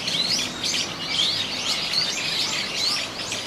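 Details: Eurasian teal on the Kōkū Park pond, 19 January 2023; a steady chorus of thin, high, rising whistles from several birds, with separately recorded park ambience added underneath.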